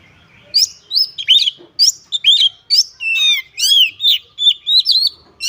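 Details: Caged white-rumped shama (kacer) delivering a fast, varied song of whistled, slurred and looping notes, packed closely together with brief gaps, in a quiet setting.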